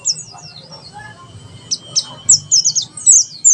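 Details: Mountain white-eye singing in the 'tembakan sejalur' style, used as a tutor recording for captive birds: very high, thin chirps and quick descending slurred notes in short bursts, with a brief lull midway and a low hum underneath.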